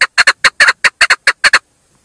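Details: Short series of paired and single harsh chuk notes from a female chukar, loud and hoarse, ending abruptly into silence.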